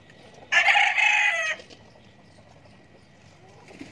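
A chicken gives one loud, harsh, drawn-out call lasting about a second, then falls quiet.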